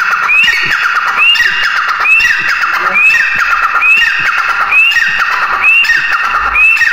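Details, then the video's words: A grey francolin calls loudly and harshly, repeating a rising, ringing phrase about once a second, eight times in a row, with faint background noise. "Teetar ki awaaz | teetar ki awaz | gray francolin teetar voice"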